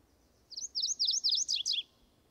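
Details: A male MacGillivray's warbler in Washington State, newly arrived from the tropics and singing to mark territory while courting, gives a quick, bright run of about five rolling, slurred high notes, ending in a couple of sharper downslurred notes; the background is quiet.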